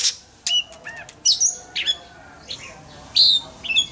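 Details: Oriental magpie-robin singing in contest-training style: scattered high, sharp whistles and chirps, some sliding, broken by short gaps, over a steady background hiss.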